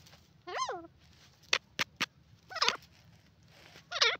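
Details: Grey francolin giving a series of harsh, wavy harmonic notes. The first arches up and down, and later notes bend upward, with sharp clicks scattered in the gaps.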